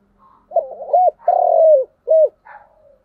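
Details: Spotted dove giving the urging coo style called thúc gù: soft low notes, then a rolling coo, a long drawn-out coo falling slightly in pitch, a short clipped coo and a faint trailing note, in otherwise quiet surroundings.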